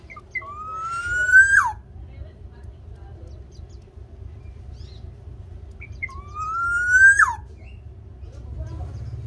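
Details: Vigorously singing local Javanese black-naped oriole, played to coax captive orioles into song: two full-toned phrases about six seconds apart, each a short high note then a long rising whistle snapping downward, low hum beneath.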